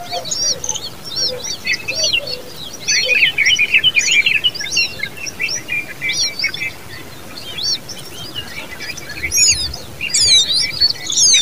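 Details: Begging common babbler young produce a rapid, crowded chatter of high twittering chirps, growing louder in the middle and again near the end, against steady outdoor background noise.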